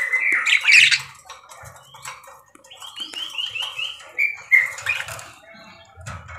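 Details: Chatty caged parakeet: a loud squawky burst opens, then a quick string of rising chirps, warbled squeaks and faint rustling in the background.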